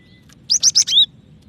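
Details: Female cinereous tit calling to the male: one quick burst of four high, thin chirps with sliding whistled notes, the last note longer and falling, over a faint low hum.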